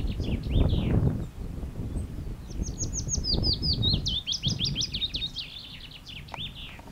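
A willow warbler gives a sweet, high phrase of clear notes that slide gently downward over about two seconds, over a low rumble of wind.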